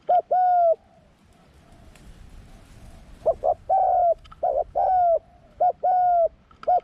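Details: Spotted dove, a young bird being trained on its first trip into the forest, giving repeated soft hollow coos: short notes leading into longer level drawn-out coos, with a quiet gap early on and steady cooing phrases about once per second afterwards.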